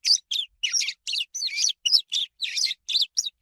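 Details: Swallow in spring giving a dense, scratchy twitter of quick chirps and buzzy warbles, closely packed notes in an unbroken burst.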